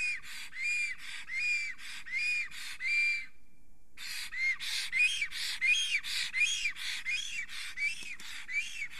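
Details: In Estonia on the morning of 30 April 2020, a male black stork sings at his nest, excited and trembling as a female passes. Breathy hissing phrases with a bent whistle inside come in a steady series, pause briefly, then resume faster.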